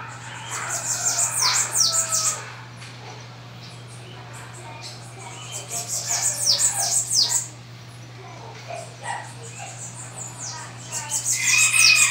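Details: Bananaquit singing in Rio de Janeiro, Brazil: bursts of thin, very high, buzzy sweeping notes lasting about two seconds, repeated three times with quiet gaps, over a steady low hum.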